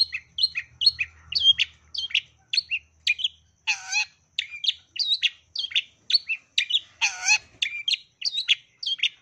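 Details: Long-tailed shrike delivering sparrow-imitating song to stimulate other shrikes: a regular run of clipped, hooked whistled chirps roughly three per second, broken twice by a harsh, grating, rasping note.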